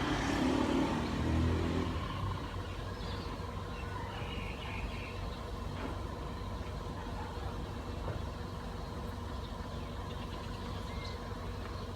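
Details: A steady low rumble of a passing vehicle and engine noise fills the recording, with no clear animal voice.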